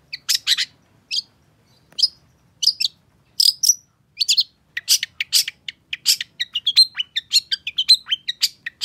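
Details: Energetic long-tailed shrike song meant to spur a bird that has gone quiet: scattered sharp notes at first, building into rapid, dense chattering with thin whistles mixed in.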